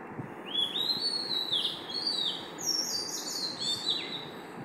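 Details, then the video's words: Dawn singing by an Oriental magpie-robin at 5 am, a continuous string of bright whistles gliding up and down, some very high, against a steady background hum. "oriental magpie robin singings at 5am"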